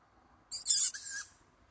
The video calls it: Young tawny owl calling for food